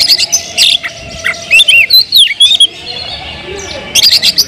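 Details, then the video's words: Oriental magpie-robin in loud kemrayak song aimed at provoking rival magpie-robins: scratchy buzzing notes lead into several rising and falling whistled slurs, a short pause, then more harsh chattering bursts. "kacer gacor‼️suara kicau burung Kacer kemrayak biar kacer lain konslet"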